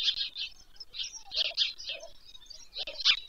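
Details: White stork chicks begging during an evening feed at their nest by Pyriatynskyi National Nature Park, Poltava region, Ukraine, 21 July 2024, from a nest broadcast. Short, rough, wheezy bursts repeat unevenly, with a louder burst at the end.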